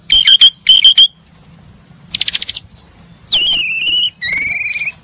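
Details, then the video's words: Brown-chested jungle flycatcher birds chirping, giving short high trilled bursts, a dense buzzy note, then two long, level, whistled notes with slight wavering. "the sound of brown chested jungle-flycatcher birds chirping"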